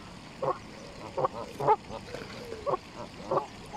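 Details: Canada geese feeding by the lake at Longton Park, Stoke on Trent, sunny spring day in April 2022; short honks spaced about every half second to second, with background murmur.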